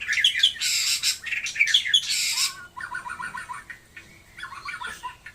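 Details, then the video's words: Taiwan-type white-rumped shama: loud harsh, noisy bursts at the start, then softer twittering and warbled phrases of quick repeated notes. "burung murei taiwan super mantapppp suara josss"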